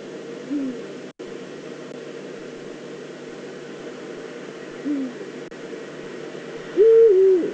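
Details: Probably a female Eurasian eagle-owl calling near its nest scrape in the Eifel, Germany, 22 September 2014. Two brief soft low notes about four seconds apart, then a loud wavering drawn-out call at the end, over steady hiss with two sharp clicks.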